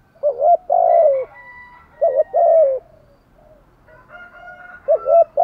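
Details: Spotted dove in thúc gù style: loud phrases of a brief lead-in note and a longer throaty coo sliding down, given three times at roughly two-second intervals, softer notes in the gaps.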